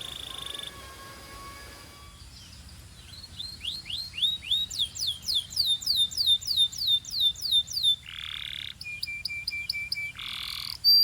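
A Belgian canary sings fast runs of bright upslurred whistles, about three per second, broken by two harsh buzzy bursts and a steady high trill.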